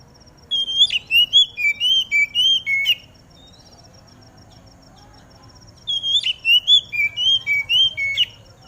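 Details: Oriental magpie-robin in the morning dew singing to stir others of its kind into song: two matching phrases of roughly ten bright, rising and falling whistled notes, a quiet spell between, with a faint constant high tone behind.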